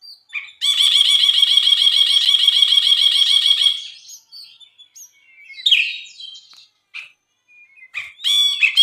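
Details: Brinji (bulbul) singing energetically on a tutor track for songbirds: one long continuous buzzy rattling chatter lasting about three seconds, then scattered whistled and chirping notes with short pauses.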